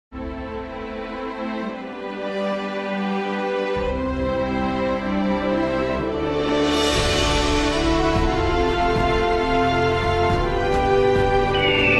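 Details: Slow, tender instrumental music with sustained tones and a soft bass line; no animal voice is heard.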